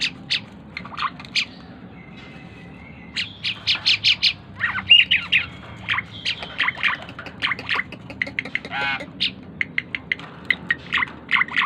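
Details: Tame Asian pied starling in full song: a lively jumble of squawks, rapid chirps, short bursts of clicking notes and steady whistled tones, varying constantly, with a quiet low hum underneath.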